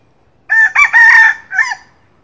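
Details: A wild red junglefowl in the morning gives one short, hoarse crow, broken into several choppy syllables over about a second and ending abruptly. Nothing else is heard.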